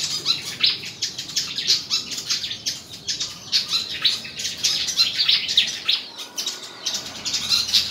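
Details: Contest song of a white-throated fantail recorded in Củ Chi, Vietnam, at Tân Qui: busy high-pitched chatter of sharp ticks and thin whistled slurs, delivered in uneven bursts.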